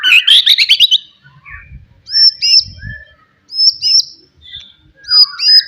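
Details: Loud wild forest white-rumped shama song to provoke rivals: a fast rattling trill, then spaced sharp high whistled notes repeating roughly every one and a half seconds with softer lower notes between.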